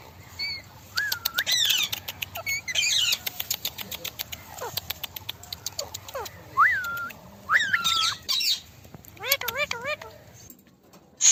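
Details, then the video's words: Group of parrots calling: rising and falling whistled screeches, a wavering trilled call near the end, mixed with rapid clicking and tapping noises throughout. "parrot group natural sound"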